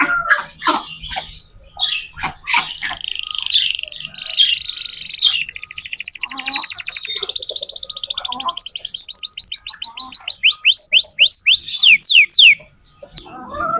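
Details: Tutoring song for young canaries from a vigorous lure canary: scattered chips at first, then a buzzy warble, a long rapid rattling trill, and a closing run of steep falling whistles.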